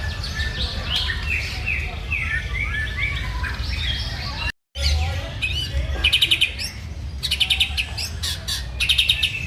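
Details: White-rumped shama singing actively: a run of varied whistles and slurred phrases, a brief cut, then rapid chattering trills, over strong low rumbling background noise.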